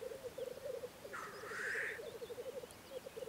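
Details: Black grouse at a spring lek in Russia: quick rolling bubbling notes with a single harsh hissing call in the middle.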